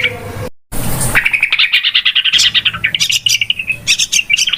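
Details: Lure recording of yellow-vented bulbul, used in trapping: after a brief cut-off at the start, a rush of rapid, scratchy chattering notes and bright chirps runs steadily to the end.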